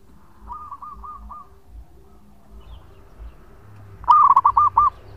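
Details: Local zebra dove, a male, singing as a lure: a faint series of soft cooing notes near the start, then a loud burst of four or five rolling, hooting coos toward the end, with low background hum.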